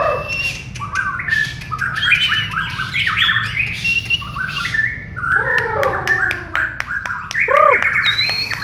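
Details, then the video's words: White-rumped shama of the Borneo type in a training session with other birds: rapid chattering, squawky notes and quick whistled bursts, followed by sharp clicks and a couple of arched whistles near the end. "LATIHAN BERSAMA BURUNG MURAY BATU BORNEO"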